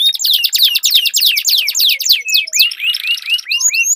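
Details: Competing canaries sing long rolled song, a quick run of loud falling whistled notes repeated several times a second, shifting into a soft buzzy trill dotted with rising curved whistles.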